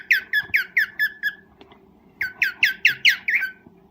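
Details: Cockatiel mating call in the breeding season: a short run of falling, squeaky chirps, a brief pause, then five louder chirps with downward sweeps, spaced about a fifth of a second apart.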